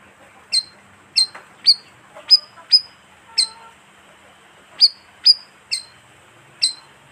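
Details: Bayeman bird lure call, a colonial bird; bright, high, sharp chirps delivered singly at uneven intervals, with a pause mid-way.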